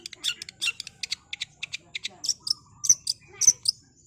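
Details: Long-tailed Shrike with speedy training-recording song: a quick series of clipped high chips, then louder shrill whistled squeaks spaced unevenly; otherwise quiet background.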